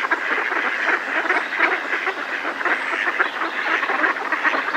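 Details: Many Mallards in a decoy calling in alarm at close range; loud, raspy quacking stacked densely together, steady in volume, a coot and distant robin noted nearby.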